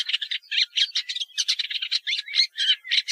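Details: Short burst of Woodchat shrike song: rapid, throaty chattering notes repeated several times a second, scratchy and jumbled, with quick upward squeaks.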